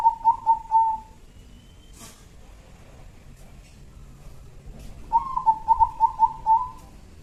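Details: Two bursts of staccato, rolling coos from a local zebra dove used as a lure in Jambi, the second longer with about six beats. A brief sharp noise falls between them, and faint high bird whistles sound in the distance.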